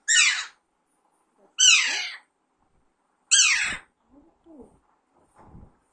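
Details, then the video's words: Young Alexandrine parakeet raised at home as a pet, undergoing talking training: three loud, grating, downward-slurred screeches roughly one and a half seconds apart in a quiet room, followed by faint soft chatter. "Alexander parrot natural sound"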